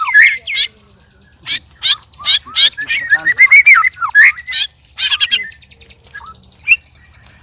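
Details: Loud, strange sounds from a white-rumped shama while three birds spar together: harsh broadband bursts alternating with short whistled slurs and a wavering trill midway, pauses between phrases.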